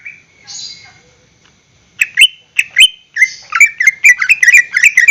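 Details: Caged greater green leafbird singing as a lure to get other caged birds to sing: a soft warble, then loud, sharp whistled notes and quick chirps that speed into a rapid run of varied phrases.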